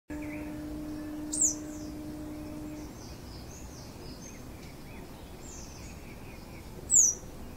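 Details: A female purple-rumped sunbird (Leptocoma zeylonica) at Dongarmatha, Parshuram, Maharashtra, in June, gives two sharp, very high, thin descending chips about five seconds apart over faint distant bird chatter and an early low hum.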